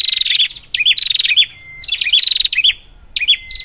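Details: Prinia, used as a lure to spur silent prinias into calling: loud buzzy rattling bursts with bright hooked notes, broken by thin, level whistles, repeating roughly every second.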